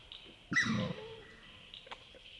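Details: Australasian swamphen at a night-time wetland in Wollemi National Park, NSW, Australia, giving one brief squealing shriek over a low grunt, then quiet except for the steady high-pitched chorus of frogs or insects.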